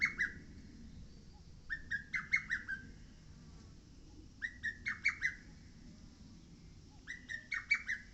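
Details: Lesser cuckoo singing on Mount Oike: three loud whistled phrases in eight seconds, each a rising opening note followed by four or five quick, clipped notes, with pauses between phrases over a soft low rumble.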